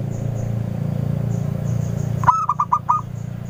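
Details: Local female zebra dove used as a lure, clear-voiced, delivering one phrase after a stretch of low droning noise: a sharp opening note and a few quick, clipped coos.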